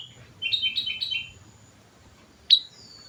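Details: Actively singing sooty-headed bulbul on a lure track: a fast run of four bubbly stepped whistles, a pause, then one loud clear whistle sliding down, against quiet low background hum.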